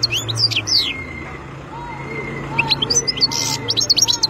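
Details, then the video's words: Wild European goldfinch twittering in quick high notes at the start and end, with steady drawn-out tonal whistles at lower pitches running through the middle. "تغريد مقنين خلوي"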